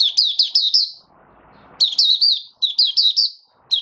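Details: Opening song (buka sing) from a male white-eye (mata puteh), dated 08012022: fast strings of high, sweet chirps in long runs, broken by a brief soft rustle, then resuming with further rapid twittering phrases.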